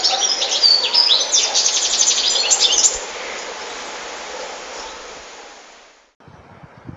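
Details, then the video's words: European goldfinch singing: a dense, fast, high twittering of liquid trills and tinkling notes for about three seconds, then a quieter hiss fading to near silence and a brief low rustle at the end. "Goldfinches(carduelis) Amazing Singing"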